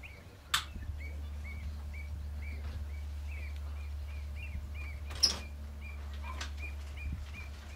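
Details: Swallows, one of a pair nesting in a hide at Cley Marshes Nature Reserve, Norfolk, UK, in July 2011: short soft chirps repeated about twice a second in a steady series, over a constant low hum with a few sharp knocks.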